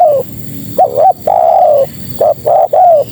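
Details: Spotted dove, female, calling males with mellow coos: short paired notes then a long falling coo, repeated twice, loud and clear.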